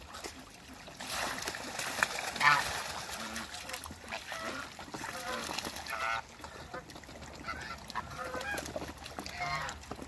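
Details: Toulouse and African geese in a backyard among other waterbirds, giving harsh honking calls with a loud burst early on, then scattered overlapping honks and cackles from several birds.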